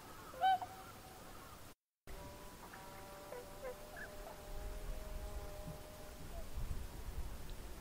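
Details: Tundra swans, including juveniles, on water on 31 January 2016 before taking flight. One gives a loud, nasal honk, then after a brief break several give a chorus of softer, overlapping honks over a low rumble.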